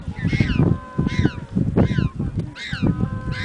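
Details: Penguin chicks at Punta Tombo, Argentina, screaming to ask their mother for food: harsh, rising-then-falling nasal cries repeated about every three-quarters of a second, over strong rumbling wind.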